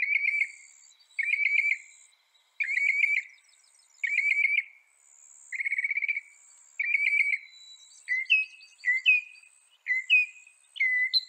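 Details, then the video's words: A northern mockingbird from North America repeats a buzzy, trilled phrase roughly every one and a half seconds, then switches to a series of clear rising whistled notes, each given separately. "Veja o canto do pássaro, ave zombeteira"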